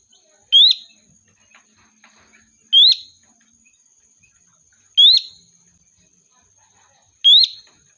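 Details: Sooty-headed bulbul recording used as a lure to call the flock: four loud, clean whistles, each a sharp upward slur, repeated about every two and a quarter seconds over a faint constant high tone.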